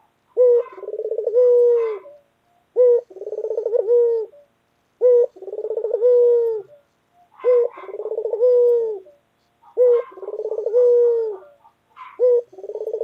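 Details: White local collared dove, a loud pet bird, repeating its call about six times: a sharp introductory note, a pulsing rolled phrase, then a drawn-out steady coo, at a regular two-second rhythm.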